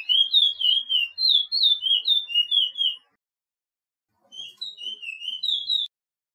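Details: Chestnut-bellied seed finch (picolet, curio) from Suriname, 'pije pije' style training song for caged birds: clear whistled notes rising and falling, delivered rapidly in a phrase of about three seconds, a pause, then a shorter second phrase.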